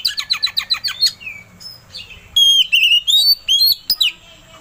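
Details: Oriental magpie-robin song as a lure to provoke singing: a rapid even series of about eight sharp notes, a brief lull with soft whistles, then loud sweeping whistled phrases.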